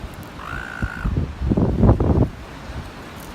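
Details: A bullying seagull at North Shore, chasing others away from food, gives one level, nasal squall, followed by heavy low wind or surf buffeting.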